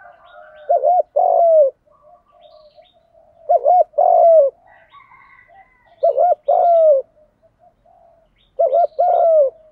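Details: Spotted dove coo in the 'Đồng' style, used to stimulate young captive males. Four steady phrases, about 2.6 seconds apart, each made of two short looping notes and one long falling coo. Soft chirps fill the gaps.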